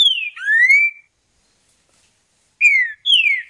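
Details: A Green-winged Saltator in the wild sings rich, clear whistles: a falling note slurring into a rising one, a brief pause, then two more descending whistles. The background is quiet.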